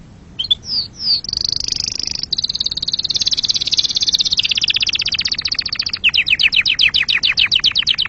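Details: Canary singing fast high rolling trills: a rising whistled opening, then a long dense buzzy trill that breaks into a slower run of sharp repeated notes near the end.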